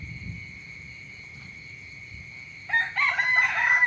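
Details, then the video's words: Morning rooster crow begins late after quiet. Only the rough, loud opening syllables of the crow are heard, over a constant high-pitched background tone. "เสียงไก่ขันตอนเช้า เสียงไก่ขันฟังต่อเนื่อง"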